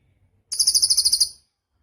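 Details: Cililin song for tutoring caged songbirds: a single short, very high, thin trill of about nine quick buzzy pulses lasting under a second, then silence.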